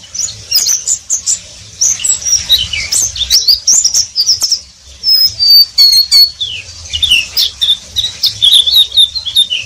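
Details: Oriental white-eye (pleci) singing in the ngeriwik style: a rapid, high, twittering stream of thin whistled notes and quick slurred chirps, broken by short pauses, with a low background hum.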